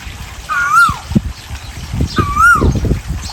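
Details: Asian koel, male and female mentioned: two clear whistled calls about one and a half seconds apart, each a short rise then a longer falling slur, over low rustling and trickling background noise.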